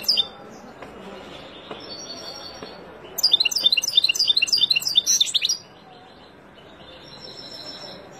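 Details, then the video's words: Wild European goldfinch song for teaching fledglings: a lively two-and-a-half-second burst of dense, high jangling twitters, framed by quieter stretches with faint distant chirps and low murmur. "اروع تغريد طائر الحسون البري لتعليم فراخ"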